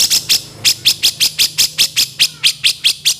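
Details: Grey-cheeked bulbul (cucak jenggot) in a master recording for training songbirds, described as a rough, harsh kasaran voice with speed: a fast run of about fifteen scratchy, broadband rasping notes, each short and harsh, delivered roughly every fifth of a second.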